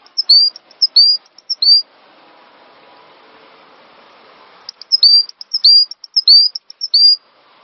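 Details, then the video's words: Cinereous tit song from a master track for songbird training: short clusters of sharp high whistled notes with quick down-slurs, a quiet gap of nearly three seconds, then another cluster. "Master Burung Gelatik Batu Full Ngisi"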